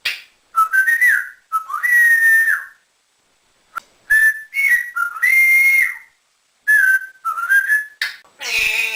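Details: Pet male African grey parrot, about two years after rescue, indoors, taught to swear and whistle like a builder. A series of bright whistled phrases rising and falling, short breaks between bursts, ending in a rougher noisy note.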